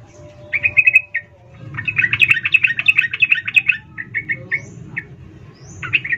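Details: Female sooty-headed bulbul calling the male, excited chattering style, used as a lure for bulbuls: bursts of bright, rapid chirping notes, a long busy run in the middle, then short separate chirps, over a low background hum.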